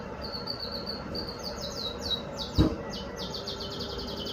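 A red factor canary sings a rapid string of bright, high, downslurred notes, speeding into a fast trill, over steady room hum with one brief knock.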